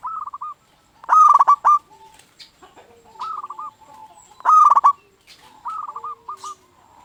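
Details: Local zebra dove used as a decoy to stir other doves into song: loud rolling coo phrases alternate with softer, similar phrases, roughly every few seconds, with a harsh overdriven quality.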